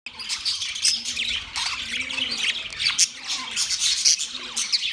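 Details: Budgerigars calling together: a steady wash of high scratchy squawks and chirps with short sharp accents, plus faint low cooing notes beneath.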